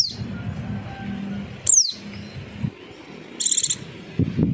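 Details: White-eye lure audio for making birds answer: one thin, high downslurred whistle, a faint earlier note, and a short buzzy high trill, over low rumbling background noise.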